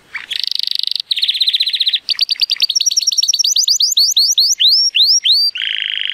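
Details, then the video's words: Male Timbrado Español canary, born 2018 and scored 83 points, singing powerfully on a sunny day. A very rapid trill leads into notes that rise and space out gradually, then a steady buzzy roll. "The most PLEASANT Canary training song"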